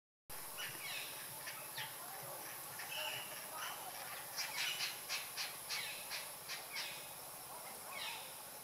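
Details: A mating pair of Oriental dollarbirds at Banlung in March 2016 give harsh, rasping chak notes, scattered at first, then a quick run of about two or three per second, over a steady hiss.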